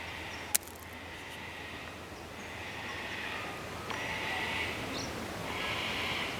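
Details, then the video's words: A distant cockatoo gives harsh, raspy screeches in three drawn-out bouts over steady outdoor hiss, with a sharp click near the start, in bushland near Bendigo, Australia. "perhaps you can hear the cockatoo in the background screeching away"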